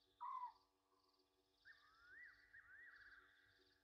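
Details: Night calls of Egyptian geese at a waterhole on Djuma Game Reserve, Sabi Sand, South Africa, 27 August 2023 near midnight. A short hoarse honk, then a long wavering, rising-and-falling nasal call, with insects trilling behind.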